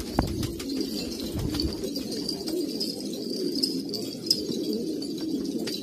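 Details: Kabul pigeons of old pure lines cooing in a group, deep warbling coos rising and falling, with a few scattered clicks.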